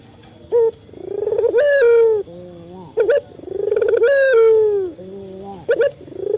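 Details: Male local Barbary dove calling to stimulate captive birds. Each phrase is a sharp staccato note, a swelling rising trill, a long mellow falling coo, then a low murmured note, repeated twice with steady rhythm.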